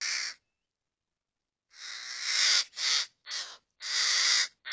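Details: Harsh, rasping calls of common ravens, adults with young, in a Murmansk region forest. After a short call and a pause comes a fast run of rough calls, one long drawn-out, then shorter clipped ones.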